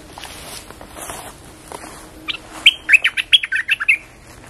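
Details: Caged bulbul used as a lure bird, said to arrive quietly and leap at its cage almost hard enough to break it; faint scattered chirps, then a lively burst of about ten quick warbled notes, rising and falling, over under two seconds.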